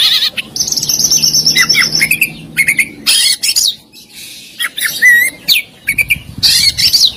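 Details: Varied Oriental magpie-robin song of fill-ins and bursts: a long steady high whistle opening, followed by rapid bursts of buzzy notes and twisting whistled slurs separated by brief pauses.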